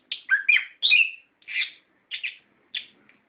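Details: An orange-headed thrush delivers a lure song for caged birds, starting with a quick tumble of whistles and a drawn-out descending whistle, then a few spaced, burry notes.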